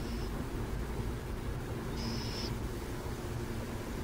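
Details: A burrowing owl in San Jose: one clear half-second hissing screech after a faint clipped one at the start, set against steady low-pitched traffic hum.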